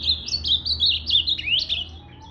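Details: Blue-black grosbeak recorded on 8 September 2020 while moulting, its tail not yet grown back: a quick run of high, warbled, slurred whistled notes in short linked phrases, rising and falling, with a faint low hum behind.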